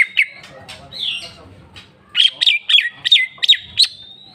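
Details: Cucak ijo, the greater green leafbird, opening with scattered chips and a warbled slur, then bursting into a rapid run of seven sharp ringing chirps.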